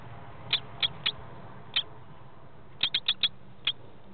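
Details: At the nest at 14:06 on 24 March 2013, a male lesser kestrel arrives with prey for the female laying her second egg; sharp, high, clipped notes, singly, then a quick run of four, over a low hum.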